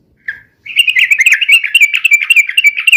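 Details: Trucukan, or sooty-headed bulbul, in rapid, noisy song used for luring and tutoring: after one brief note, an unbroken fast stream of bubbling, chattering warbles fills the remaining seconds.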